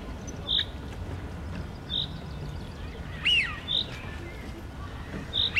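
Male Eurasian wigeon giving clear, high whistles, short notes every second or two and a longer falling 'wheeoo', over a low background rumble.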